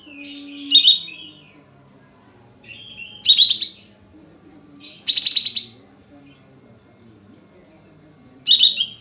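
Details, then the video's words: Sooty-headed bulbul singing in kapas tembak 'shooting' style, a lure to stir other birds into song; four loud buzzy trilled bursts spaced two to three seconds apart, each led in by a softer note. "Kapas Tembak Buka Ekor Full Isian Untuk Pancingan Katem Bahan Agar Emosi dan Ikut Bunyi Nembak Gacor"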